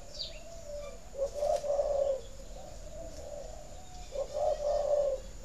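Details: Captive spotted dove kept for breeding, cooing to stimulate egg-laying: two low, mellow coo phrases, each about a second long with a rolling middle and a drawn-out end, separated by a short pause, with faint high chirps behind.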